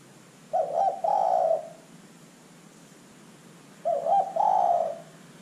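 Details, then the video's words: Zebra dove used as a lure to set other birds calling: two phrases about three and a half seconds apart, each a quavering start leading into a drawn-out purring coo. "LANGSUNG IKUT BUNYI dengan pancingan terkukur GACOR ini"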